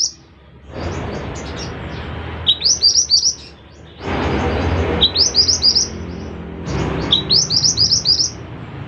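A Scarlet minivet sings quick bursts of five or six thin, high, rising whistles, repeated every two seconds or so, over a steady background rumble.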